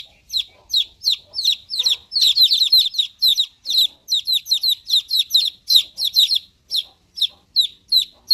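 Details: Chicks cheeping in high, downward-slurred notes at about two or three per second, with a busier burst of overlapping peeps early on.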